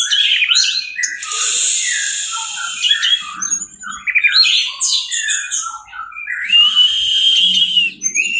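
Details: Orange-headed thrush (anis merah) in teler-style song, recorded as tutor material for songbirds: a dense, loud stream of rasping squawks, sweeping whistles and rapid chattering notes, packed together with hardly a pause.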